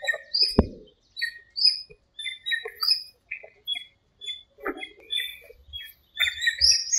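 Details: Dawn chorus of birds in a small park during breeding season, rainy season: busy high chirps and twittering notes overlapping almost without pause, one sharp click near the start and soft low thumps toward the end.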